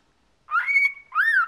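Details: Fourteen-year-old male pet cockatiel kept indoors, giving two clear whistled calls: a long steady rising whistle followed by a shorter arched whistle that falls at the end.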